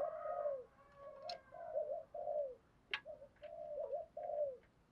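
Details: Spotted doves, male and female, used to stimulate training birds, giving a quieter run of low, rounded, slightly falling coos in steady succession over a hissy background with a few sharp clicks.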